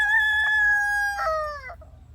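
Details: A chicken crowing in the evening, a crow said to mark the time both morning and evening: one loud, sustained, richly harmonic note held steady for about one and a half seconds, then sliding downward and breaking off, with a faint low hum beneath.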